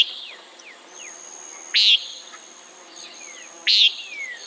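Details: Common nighthawk producing two short rasping buzzes about two seconds apart, accompanied by faint descending whistles and soft background hum.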